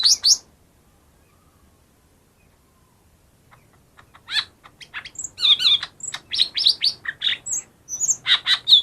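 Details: A lure recording of lesser green leafbird song for birds that won't sing: a short whistled burst, a long pause, then a sustained, rapid medley of rasping chirps and bright whistled notes.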